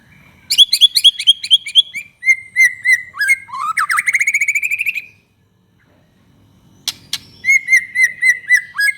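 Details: A prolific white-rumped shama singing to provoke other shamas: a rapidly repeated ringing series, whistled slurs, a fast rising rattle, silence, then sharp clicks and another run of repeated bright notes.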